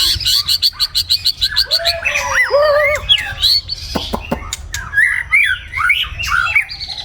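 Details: Morning song of a white-rumped shama: it opens with a rapid burst of repeated clicking notes, then moves into varied whistled phrases, some low and mellow, others high and rising, and ends with lively upward-bending whistles.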